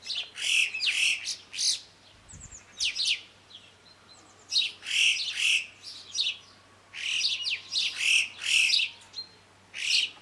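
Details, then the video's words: Yellow-billed choughs in the French Alps mountains, a flock giving shrill, high whistled and trilled chirps in bursts, many overlapping, several calls per second then pauses; quiet background. "Le chant du Chocard à bec jaune"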